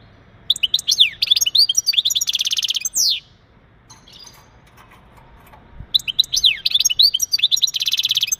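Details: European goldfinch male's breeding-stimulation song for a female: dense, rapid, buzzy twittering with rolling trills for about three seconds, a brief lull, then another energetic tinkling burst.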